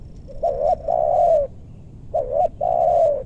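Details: Spotted dove used to lure wild doves in a maranti forest in western Bogor, targeting birds with a big voice; two phrases of deep, hollow cooing, each a short double note followed by a long drawn-out coo.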